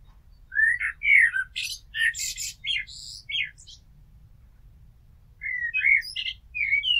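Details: Blackbird near a house sings varied phrases: fluted whistles then a dense stretch of scratchy high twitters, a two-second pause, and another whistled phrase with squeaky accents.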